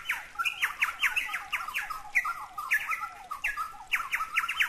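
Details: Chowchilla (Orthonyx spaldingii), a ground-dwelling bird endemic to northeast Australia, sings loud, ringing, harsh chattering notes tumbling in rapid, overlapping phrases without pause.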